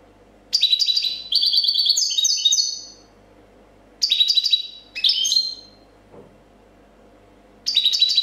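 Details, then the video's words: A champion copia-style European goldfinch sings bright, tinkling bursts of rapid, high twittering notes in phrases of one to two seconds separated by short pauses; recorded 2014. "Chardonneret chant copia champion"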